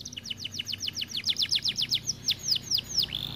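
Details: Canary described as not singing much because it is too fat, running a quick series of descending slurred notes repeated around four times per second, each bright and clear, closing with a drawn-out high whistle.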